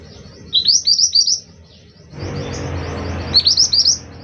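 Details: Singing scarlet minivet, local name mantenan: two bursts of three or four rising whistled notes, separated by about a second of broadband rushing noise.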